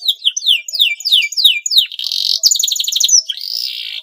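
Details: Male canary in breeding condition, singing to provoke other canaries into song: about five clear downslurred whistles a second, then buzzy rolling trills and a final drawn-out note.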